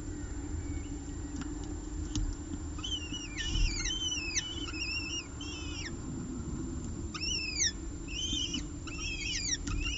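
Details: On a peregrine falcon nest ledge in Orange, 30 September 2018, the female feeds two eyases pieces of a bird from the male. After a quiet start, clusters of sharp, bending whistled chirps come in two bursts over a low rumble.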